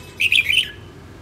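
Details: Northern female red-whiskered bulbul delivering a fast bright phrase of four or five tumbling whistled notes, ending with a short falling slur.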